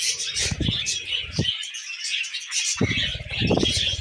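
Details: Tamed pet budgies chatter in high, grating warbles and chirps, overlaid at the start and end by low rumbling bumps and knocks, quieter in between.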